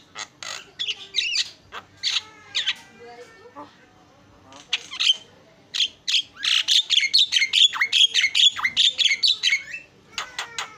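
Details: Javan myna, a champion songbird, singing a varied, melodious run of harsh chattering notes and short whistles, broken by brief pauses, building into a dense rapid burst of repeated notes near the end.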